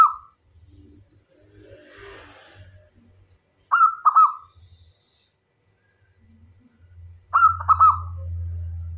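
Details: Energetic local zebra dove used as a lure to attract other doves of both sexes. It gives three cooing phrases about every three and a half seconds, each a quick run of stuttered, purring notes, with low rumbling background noise.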